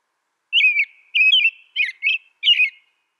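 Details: Four separate, warbling whistles from an American robin, each about a third of a second long and spaced roughly half a second apart, rising and dipping in pitch; nothing else audible.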